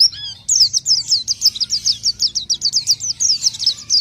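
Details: Orange-headed thrush singing steadily: after a short opening whistle, quick high chirped notes repeat about four to five times a second in a rhythmic, even series, with a faint low hum beneath.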